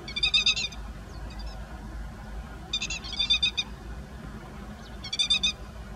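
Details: Grey-headed lapwing parent accompanying chicks in a rice field, 16 May 2017, filmed with a Nikon COOLPIX P900; three loud bursts of fast, grating, chattering notes, spaced about two to three seconds apart, over a low background hum.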